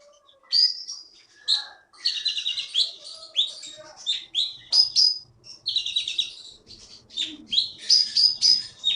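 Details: Caged konin keety from Bangka island forest, Indonesia, with contest wins in Bangka Belitung, sings dense chattering phrases of high slurred notes and rapid twitters in loud bursts.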